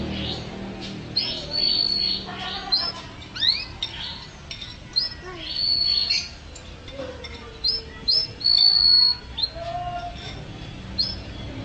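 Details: Canary singing vigorously in a training recording for pet songbirds: scattered high whistled notes and short sweeps, some long level tones, with lower slurred notes between phrases and irregular pauses.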